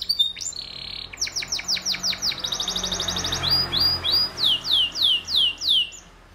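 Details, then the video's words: A canary song of quick downward sweeps and a fast trill, followed by a series of loud descending whistles repeated roughly every third of a second; broadband hiss throughout. "Canary Singing Bird Sounds"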